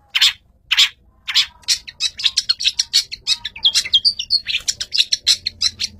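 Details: Long-tailed shrike described as a fighter, used as a master bird: three harsh, scratchy notes spaced apart, then a quickening run of sharp chirps and short whistled notes with no pauses.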